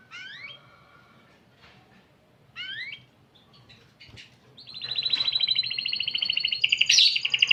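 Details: Canary kept as a hobby bird singing: a few separate rising whistled notes over quiet background, then a sustained loud rolling trill from about four and a half seconds to the end.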